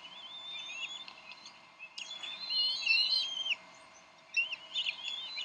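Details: Squabbling Bald eagle parents at the Decorah nest, 30 May 2012, over a delivered fish; a loud burst of overlapping high squealing, sliding whistles peaks midway, followed by fainter chittering notes.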